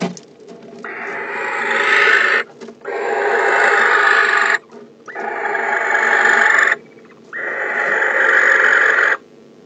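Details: Male barn owl inside a nest box on December 15, calling to the female as she arrives home: four long, harsh, hissing screeches, each nearly two seconds, separated by short pauses, with faint scraping between them.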